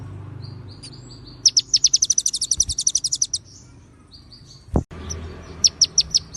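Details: Konin-type white-rumped shama delivering cililin and ciblek fill-ins, a clear training recording with pauses: soft whistles lead into a rapid rattle of high chips, a dull knock, then a few spaced sharp notes.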